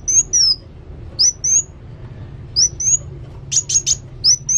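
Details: Kolibri wulung sunbird in vigorous song: paired thin high whistles repeated at intervals, then a rapid cluster of sharp ticking notes near the end.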